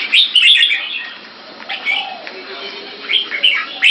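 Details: Red-whiskered bulbuls, caged and kept in Singapore, during keke training between two birds. Quick bubbling warbles open and close the passage, with a quieter, sparse stretch in the middle and faint high whistles overhead.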